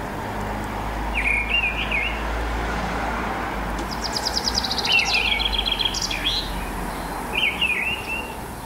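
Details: A mistle thrush sings at dawn-time in March or April 2010: three clear, slurred whistled phrases spaced several seconds apart, with a rattling high trill from another bird in between and passing traffic noise underneath.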